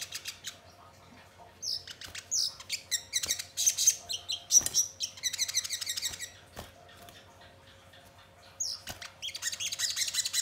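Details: Crimson sunbird song used as a lure to make birds sing and respond: high, sharp chirps and twittering bursts in scattered clusters, with a long dense chattering run near the middle and another at the end.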